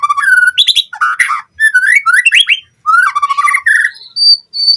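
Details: Lure and tutor recording of a White-rumped shama for training captive birds to sing full repertoires. Rich, mellow slurred whistles mix with harsh chattering notes. Phrases change constantly and end in thin, high sustained tones.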